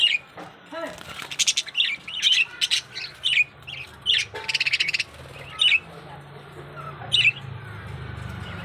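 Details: Budgerigar in a breeding setup giving sharp, scratchy chirps and chattering notes in quick, uneven bursts.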